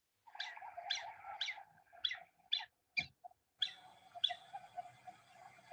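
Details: Black-bellied Whistling-Duck, the call given while flying over at night during nocturnal movements in Las Colonias department, Santa Fe; a run of clear, whistled notes at a steady mid pitch, sharper upper parts, then a faster, blurrier series near the end.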